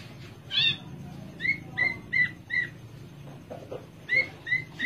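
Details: Horsfield's bush lark of Java, caged, repeats short rising whistled notes in quick series, with a higher chirp at the start and faint low background hum.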